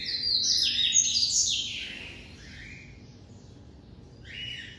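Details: Captive-bred double-collared seedeater, white form, in classic song style (canto clássico): a rapid burst of high, sharp twittering notes for about two seconds, then shorter buzzy phrases after pauses, over a low background hum.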